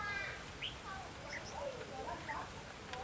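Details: Red-whiskered bulbul heard during bird trapping on 12 July 2016: a run of short, clear whistled notes, some rising and some falling, scattered over three seconds above a steady low background hum.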